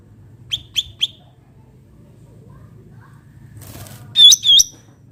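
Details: Cucak ranting bulbul in a natural setting: three sharp, high chirps in quick succession, a pause with a short rustle, then two louder slurred whistled notes with a dipping shape. A low hum runs underneath.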